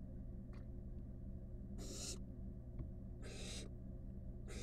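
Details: Barn owl nestlings, five wild chicks snuggling in a nest box: a faint brief hiss, then two loud breathy rasping hisses about one and a half seconds apart and another starting at the end, over a steady hum.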